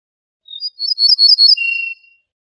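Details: Singing ortolan bunting taken from a birdsong CD. A few thin introductory notes lead into a jangling burst of high ringing notes, which ends in a longer, lower, level whistle.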